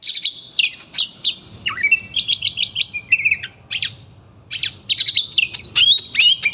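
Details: Kept oriental magpie-robin turning agitated when called by name: rapid high chattering and sharp whistled notes, with a falling slur and buzzy trills, delivered in dense bursts.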